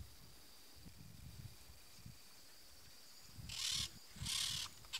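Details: After a few seconds of quiet rural background with a thin steady drone, a peach-fronted parakeet lets out two coarse, scratchy screeches in quick succession.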